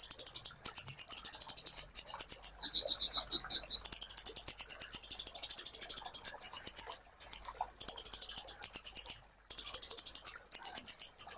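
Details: Master recording of a sunbird for training songbirds: long runs of piercing high trills, broken once by a slower series of clearer, slightly higher doubled notes.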